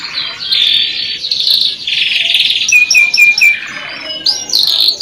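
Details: Canary singing, played as masteran tutor song: a dense rolling trill moving through several pitches, then a run of short clipped whistles and bright upswept notes at the end.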